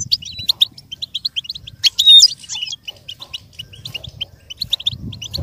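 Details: Goldfinch singing as a model for a goldfinch learning to imitate: quick, bright chirps and twitters with a louder, ringing flourish near two seconds, plus a faint low rumble in the background.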